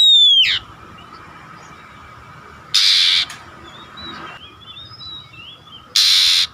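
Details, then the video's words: Oriental magpie-robin (kacer) prompting song: a descending whistle fading out, followed by two harsh broadband bursts with soft wavering whistles between them over a constant low hum. "SUARA PANCINGAN BURUNG KACER AGAR BUNYI DAN GACOR"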